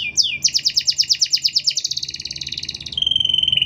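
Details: Canary song for training or provoking other canaries, with long phrases and close pauses: a quick rising note, then a rapid pulsed trill of about twenty notes drifting lower, ending in a fine, steady buzzing rattle.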